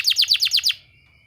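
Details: Canary therapy song for training canaries: six loud, downward-sweeping notes delivered at about eight per second, then fading into a faint steady high-pitched tone.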